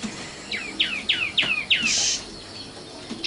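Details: Common nightingale song: five quick sharp notes, each a steep downward slide into a short buzzy tail, spaced about a third of a second apart. A brief hissing burst and a faint high note follow, with quiet background noise.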